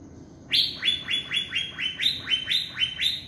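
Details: Wild Asian fairy-bluebird in forest giving sharp "tembakan" shooting calls: a loud series of about ten high, quick downslurred whistled notes, roughly three per second, over faint background hiss.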